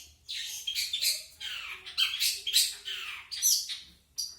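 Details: Long-tailed shrike giving a standard song without imitations: a continuous chattering of rough, scratchy notes, some sliding downward, running in dense clusters with brief dips between.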